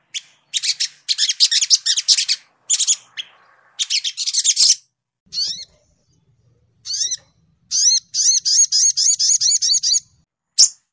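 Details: Brown-throated sunbird (sogok ontong), Indonesia, singing clean and continuous for training: dense buzzy high chattering bursts alternate with series of repeated rising slurred whistles, separated by short silences, with a clear background.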